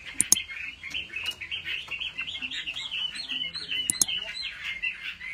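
A Chinese hwamei pours out a rich, continuous warble of varied whistled phrases, with a few sharp clicks breaking in.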